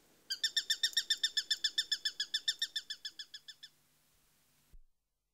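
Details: A Eurasian sparrowhawk's quick train of high, sharp notes, steady at first then fading in strength over about three seconds, ending in a short low thump.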